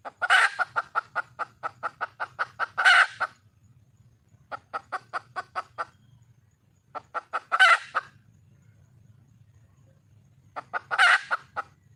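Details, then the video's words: Red junglefowl hen in the wild calling for a male, giving repeated bouts: each is a rapid, even series of clucks climbing to a harsh squawk. There are four squawks across the stretch, with short quiet gaps between bouts. "le bruit d'une poule sauvage,เสียงไก่ป่าร้องหาถู่หาตัวผู้,ສຽງໄກ່ປ່າຮ້ອງຫາຄູ່ຮັກ, poj qaib qus see"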